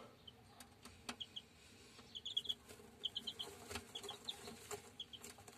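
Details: German Shamo chicks giving soft high peeps, short notes in small clusters, fairly quiet, with scattered clicks and taps in the background.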